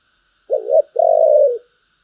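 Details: Spotted dove in the thổ song style: a short wavering hoot runs straight into a longer, evenly pulsed coo that trails off downward; nothing else is heard.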